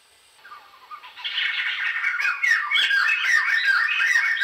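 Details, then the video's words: Black-hooded laughingthrush song building from soft, low notes into a loud, dense run of chattering, slurred phrases that wander up and down without pause. "Khướu đầu đen. khướu indo"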